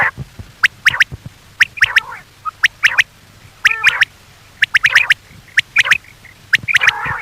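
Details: Night-time quail calls for hunting: clean, sharp whip-like notes in tight clusters of two to four, roughly once a second, with occasional nasal buzzy notes between them.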